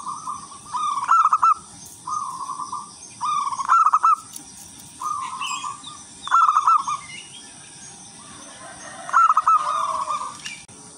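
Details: Local wild zebra dove singing with a tuneful rhythm that lures other zebra doves; seven cooing phrases in eleven seconds, alternating smooth level coos with rapid stuttered, slightly rising note runs, with a faint hiss throughout.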